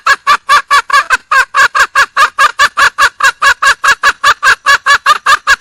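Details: Continuous, very regular rasping cackles from a wild red junglefowl hen seeking a male, over twenty notes at about four per second.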